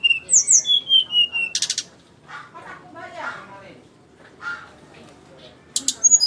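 A jungle flycatcher sings high, clear whistles that slide downward, then a sharp buzzy burst and softer chattering notes, with whistles returning at the end.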